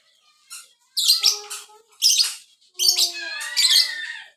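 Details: Lovebird of the violin kind in lively full song: dense, high, scratchy chirps and squawks in repeated bursts over lower, drawn-out warbling tones.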